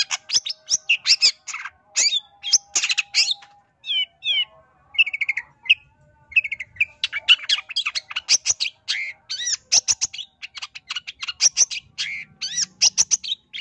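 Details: Long-tailed shrike giving a lure song to provoke other shrikes: varied harsh chatter mixed with rapid trills and short mimicked-sounding whistled phrases, grating bursts repeated many times, with a faint hum underneath.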